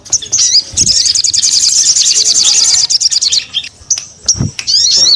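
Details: A sogon belting out a long, fast, high-pitched trill of tightly packed chirps lasting over two seconds, followed by brief separate upslurred whistles and clicks.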